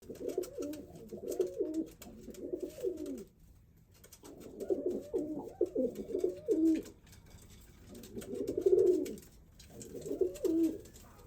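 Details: A white male pigeon courting a brown female, cooing to attract her while doing a courtship dance: low, throaty rolling coos in bursts of a second or two, with short pauses between phrases, in a quiet indoor space.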